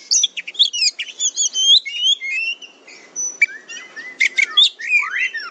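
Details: Oriental magpie-robin singing a fighter-style tutor phrase: fast warbled chatter, then longer whistled slurs and loud descending sweeps near the end.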